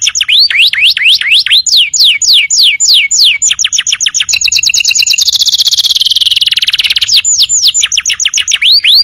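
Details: Canary song for tutoring untrained birds: repeated hooked whistles that rise then fall, merging into a dense, fast buzzing trill that sweeps downward, then returning to hooked whistles.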